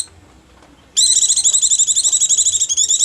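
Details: White-eye call used to attract wild birds: after brief quiet, a continuous shrill chatter of rapid, even pulses, about four per second.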